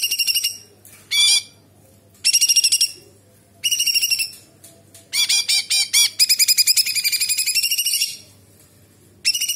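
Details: Cucak cungkok bulbul singing actively, a master track with kapas tembak imitation and sharp nyerecet bursts: high shrill buzzy phrases alternating with short harsh chatters, then a long run of rapid pulsed notes near the end, with quiet low hum beneath.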